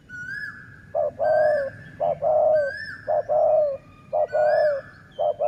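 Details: Cooing dove used for luring wild doves, sai mueang style. It gives brief clipped notes, then a drawn-out steady coo, in a rapid regular series about once a second, with a high whistled bird note above.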